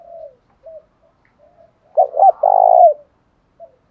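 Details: Spotted doves, male and female, in a lure recording meant to provoke fighting, in the field-style voice; low, hollow coos in short broken phrases, with a louder run of three rounded notes near the middle.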